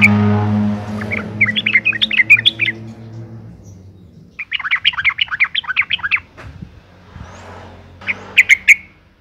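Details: Breeding female yellow-vented bulbul calling to attract males: a low droning hum at first, then two long bursts of rapid, bubbly chattering notes, and finally a few sharp ringing notes near the end.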